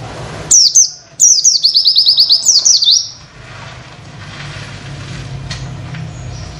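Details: Masteran recording of an Oriental white-eye delivering witwit material to tutor other birds: two short high slurred notes, a pause, then a quick string of repeated descending wit notes, followed by faint background hiss.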